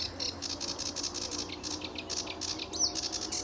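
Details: Sedge warbler singing on an early July 2013 morning at RSPB Fowlmere under blue sky and sun: a fast run of short, scratchy high notes in rapid succession, with a steady low hum underneath.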